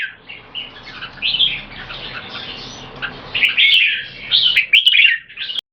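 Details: Two fierce Red-whiskered bulbuls show controlled aggression through butir singing, each trying to dominate. Quieter scattered warbles at first, then louder, bright, twisting phrases toward the end, with low background noise.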